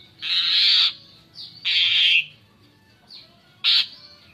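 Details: Asian pied starling, its song used to lure other birds, giving long loud harsh rasping bursts, each under a second, with soft short whistles between them.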